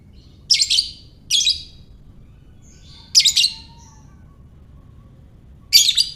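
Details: Lovebird ngekek, a long chattering call used to provoke other lovebirds: short harsh raspy bursts, each roughly a third of a second, in a row of four with gaps of up to two and a half seconds, over a faint low hum.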